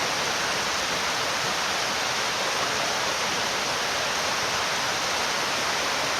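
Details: Steady rushing water from a stream fills the whole recording, with no animal call audible.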